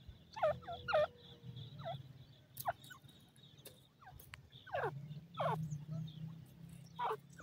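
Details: Pheasant chicks in a forest, responding to an adult pheasant's call: short, sharply falling peeps in quick pairs and singles, spaced irregularly over a steady low hum and a faint high whine.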